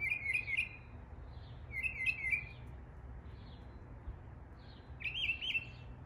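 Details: Mockingbird mimicking local birdsong in East Tennessee, giving three separate bursts of quick warbled notes about two seconds apart, the last phrase higher and more sharply rising, with faint low rumble underneath.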